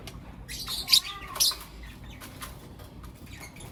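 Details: Morning calls of blue opaline and lutino opaline lovebirds: two loud harsh squawking chirps early, followed by faint scattered high notes and background hiss.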